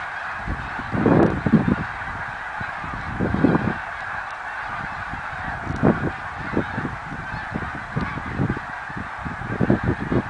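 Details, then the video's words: Snow geese in 2014, their massed honking a constant background while loud low thuds and nearby louder calls burst out irregularly, roughly every one to two seconds. "Snow Geese song & dance 2014"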